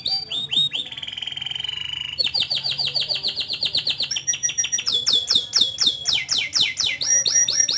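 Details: Canary in long continuous song: a sustained buzzy trill, then rapid repeated chirp phrases shifting pitch every second or so, with a quick rolling trill and crisp high notes throughout.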